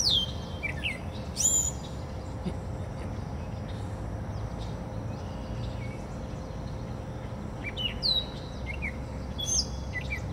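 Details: Gray Catbird singing in Portage, Michigan, in short, varied bursts of squeaky, high notes with pauses between phrases, over a steady low background rumble.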